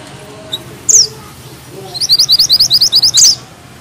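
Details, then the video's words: Mountain bushchat (mantenan gunung) in vigorous tight-rolling song: a high slurred whistle, then a fast run of a dozen bright staccato notes ending in another sharp downslurred whistle. "Mantenan gunung gacor ngeroll rapat,nembak tajam!!"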